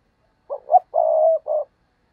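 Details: Decoy spotted dove cooing to lure wild doves, heard as one clean, close phrase. Two short, soft notes lead into a long, drawn-out coo, then a final short note, over a silent background.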